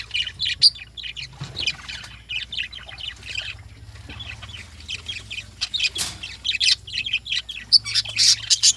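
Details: In the morning, lovebirds utter clusters of thin, squeaky chirps and rasping squawks, a quieter stretch in the middle, then a renewed burst of busy chatter toward the end.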